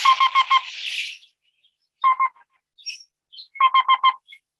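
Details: Black-billed Cuckoo song: soft, hollow, evenly pitched cu-cu-cu notes in quick bursts of three to five, with short pauses between groups; faint higher chips from another bird.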